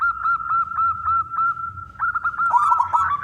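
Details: Male zebra dove, local perkutut, calling to prompt other doves to sing: a fast series of clipped coos at even pitch, then a rolling, trilled bubbling phrase at the end.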